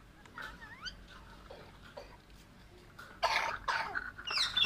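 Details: Green Alexandrine parakeets playing and squabbling over toys give thin rising whistled notes, then a burst of loud, rasping screeches near the end over a low indoor background.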